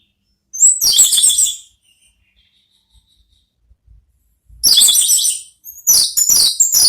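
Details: Ngeplong song of an orange-headed thrush, used to draw a thrush into calling back: a loud burst of fast, shrill trilled notes, a three-second pause, then two more intense high bursts close together.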